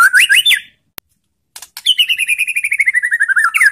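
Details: White-rumped shama challenge song to make rival shamas reply: a quick swooping phrase, a sharp click, then a long fast trill of repeated notes gradually falling in pitch.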